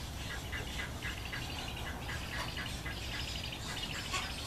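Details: Cattle egrets with chicks give short, harsh chattering calls, several a second and overlapping, over a steady low rumble of wind or background noise.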